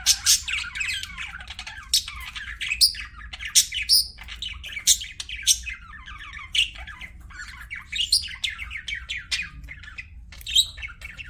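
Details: Pet budgies in steady lively chirping, repeated sharp high squeaks and chattering warbles every second or so throughout, busy and bright, with a faint steady hum below.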